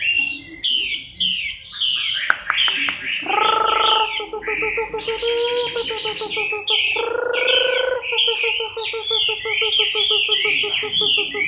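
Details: Chinese hwamei in October 2015 moult, pouring out rapid, warbled whistles and swoops. A couple of sharp clicks sound early, and stretches of a pulsing, buzzy droning tone run alongside the song.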